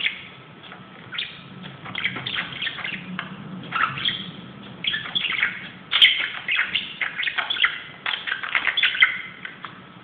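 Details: Pet budgerigar going crazy on a closet, softly twittering and warbling at first, then louder chattering bursts of chirps and squeaks.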